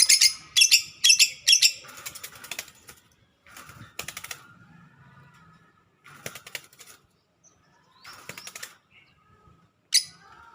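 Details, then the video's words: Lovebird chatter (ngekek), played as a lure to provoke a rival lovebird into chattering and getting excited: harsh, rapid, buzzy chattering bursts packed into the first two seconds, then scattered short chatter bursts separated by pauses. "Suara Pancingan Lovebird Biar Lawan Ngekek dan Emosi"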